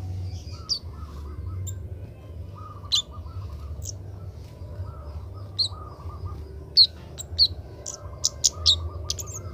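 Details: Juvenile Oriental magpie-robin practising song during training: sparse, hesitant high chirps early on, then a denser run of sharp whistled notes toward the end, over an intermittent buzzing tone and low hum.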